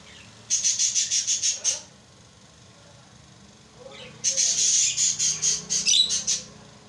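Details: Lovebirds kept as pets, giving two bursts of rapid, harsh, high chirps, about eight notes in each burst, separated by a quiet pause of two seconds.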